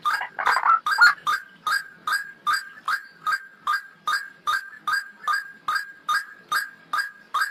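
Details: White-breasted waterhen lure call for trapping: a short noisy tangle at the start gives way to a steady series of hoarse, clipped notes, about two to three each second, evenly paced.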